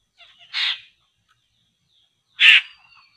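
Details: Laughingthrush (poksay) near traps set to catch it: two loud, harsh, rasping bursts about two seconds apart, each short and broad, with faint thin whistles between them in an otherwise quiet background.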